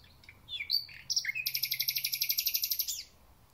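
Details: Thrush nightingale singing at the start of spring: a few whistled and slurred notes, then a fast rattling series of about twenty dry pulses repeated roughly four per second.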